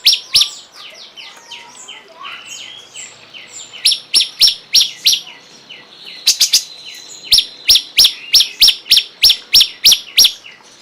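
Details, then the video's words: Cungkok in a masteran tutor recording. It opens with soft falling twittering notes, then moves into strong, high, clipped chirps repeated steadily about every third of a second, with a brief double-note flourish. "masteran burung cungkok"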